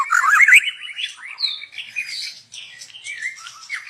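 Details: Young wild forest white-rumped shama, song used as a lure, pours out a varied warbling phrase of quick rising and falling notes, loudest at the start, then softer chattering twitters.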